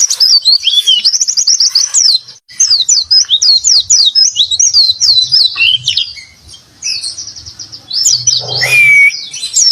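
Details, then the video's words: Oriental white-eye singing in the lively 'gacor isian' style of Indonesian songbird keeping: fast, high twittering of rapid chips and short trills running almost nonstop, a brief pause mid-way, then a clear rising whistle near the end, with soft low thumps underneath. "Pleci Gacor Isian"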